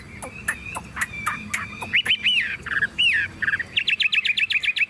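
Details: Tame caged Chinese hwamei singing strongly while its cage is hand-carried and shaken: loud varied whistles around mid-high pitch, with slurred up-and-down notes and a fast run of repeated sharp chirps at the end.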